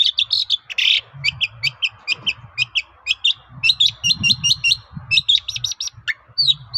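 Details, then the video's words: Shrike song meant to lure other shrikes into answering: long fast series of sharp, repeated chipping notes with a harsh burst early on and some slurred whistles, over a faint low rumble. "BANYAK CENDET NYAUT MENDENGAR SUARA BURUNG CENDET GACOR INI"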